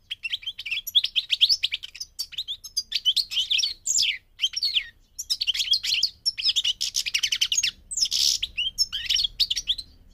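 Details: Long, continuous twittering song of a migrating goldfinch, high chirps and buzzy trills tumbling together with only short breaks.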